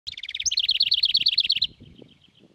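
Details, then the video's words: A singing wren bursts into a loud, high, rapid trill of about a dozen sharp notes a second for over a second, then stops, over a faint low rumble. "Singing Wren"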